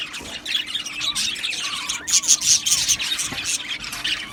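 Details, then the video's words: Lively chatter of Australian budgies: busy overlapping chirps and short squawks, a few bright tinkling notes in the middle, all high-pitched and continuous over a low steady hum. "Australian Budgies Sounds | Beautiful Budgies chirping Sounds"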